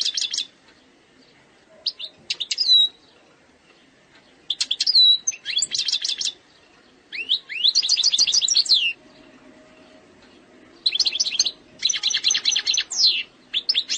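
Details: European goldfinch, Algerian bird, singing error-free eastern-sector song: short broken phrases of sharp upslurred chirps, a clear whistled note and rattling trills, interrupted by brief silences.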